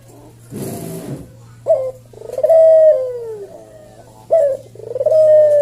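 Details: Collared dove from Java in slow senggang style for tutoring caged birds: after a short burst of rustling noise, two phrases of a clipped note followed by a long, soft, descending coo, with an electrical hum throughout.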